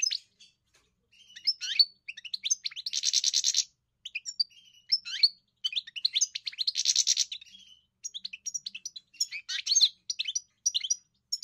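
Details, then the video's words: European goldfinch in full song: rapid liquid twittering with tinkling high notes, broken by two buzzy rasping stretches, continuous and bright with no other sounds. "Enjoy the experience of the elegant singer GOLDFINCH"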